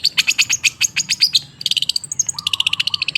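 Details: Long-tailed shrike used as a lure for shrikes that have stopped singing: quick series of bright, sharp chirps, then a rapid even chatter of repeated ticks over a low whistled note.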